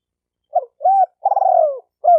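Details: One spotted dove phrase: a clipped hoot and a level coo, then a long, vibrating coo that slides downward. Another note starts at the end, against a clean, silent background.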